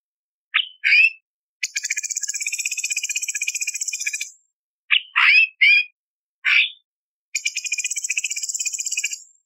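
Light-vented bulbul giving short, sharp rising chirps in quick pairs, broken by two long, high, buzzy rattling trills lasting two to three seconds each.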